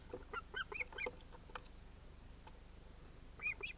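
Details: Wild Osprey at a Finnish nest with two chicks, probably males, filmed by a nest camera on 31 July 2018 as a chick interrupts the adult pair. Short arched whistled chirps come in a quick burst of about six, then a pause, then two more near the end.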